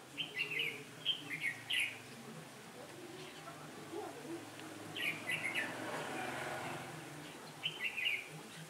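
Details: Trapping decoy red-whiskered bulbul singing on 15 October 2017, a day of changing wind; short chirpy whistled phrases at the start, middle and end, with a spell of low rustling noise between.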